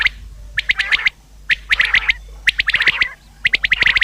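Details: Common quail calls for hunting: bright, sharp notes in rapid clusters of three to five, several birds overlapping, groups coming every half second to second.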